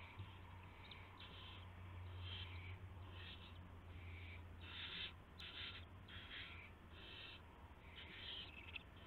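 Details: Owl at the nest at 1:00 AM on 24 March 2016 with a gopher as prey; rough hissing screeches repeated irregularly, building to a denser run midway, above a steady low-pitched hum.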